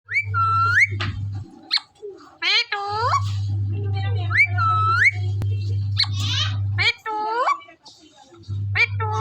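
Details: Indian parrot from Punjab, a desi bird, giving a long run of harsh, harmonic-rich calls, many bending sharply upward at the end, with some whistled notes, over a steady low electrical hum indoors.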